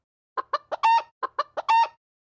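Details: Chicken calling in a clean, silent background: a four-note phrase of three short clipped notes and a longer stretched final note, given twice in quick succession.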